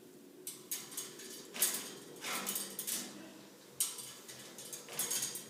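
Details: A male cockatoo that is not happy gives sharp, hissy clacks in uneven bursts about every second, like a typewriter's keys, with a scratchy, bright edge.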